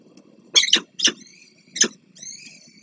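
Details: Peregrine falcons at the Palace of Culture nest in Warsaw, 26 April 2024, as the male delivers food and the female feeds small chicks: three harsh, rasping bursts, then thin high whistled notes.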